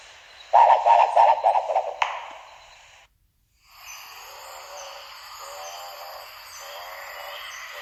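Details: Marbled Frogmouth giving its gobble bill-clap call: a loud, fast gobbling burst mixed with sharp bill claps for about a second and a half, then a steady high insect hum with faint lower warbling.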